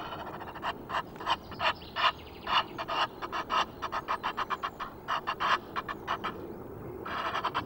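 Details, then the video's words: Noisy Egyptian geese on 5 March at Loch of the Lowes, Scotland, caught on a wildlife webcam: a rapid run of short harsh honks and rasps, about three per second, uneven in loudness, over a background hiss. "Egyptian Geese, noisy"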